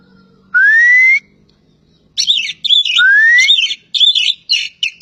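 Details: Javan pied starling from Java: two long rising whistles separated by quiet, the second merging into rapid chattering, buzzy phrases, with a faint low hum beneath.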